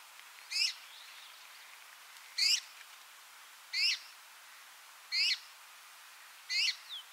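A Red-mantled Rosefinch gives five short, bright, slurred chirps, each a quick stack of rising notes, spaced about one and a half seconds apart in a quiet setting.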